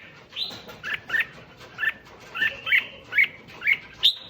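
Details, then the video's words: Red-whiskered bulbul song meant to excite other bulbuls: evenly spaced, fairly clear chirping whistles, about two per second, some rising and some falling, over a noisy hissing background. "Tiếng Chim Chào Mào Kích Chim Lên Lửa Nhanh"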